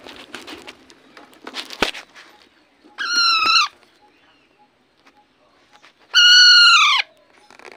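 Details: Parrot calling twice with loud, harsh, drawn-out screeches, three seconds apart, after some rustling and clicking noises at the start.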